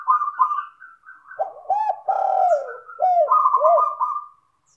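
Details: Spotted dove singing, used as a lure to make other doves join in: overlapping soft, rolling coos in repeated phrases, with a higher cooing voice and a lower one alternating.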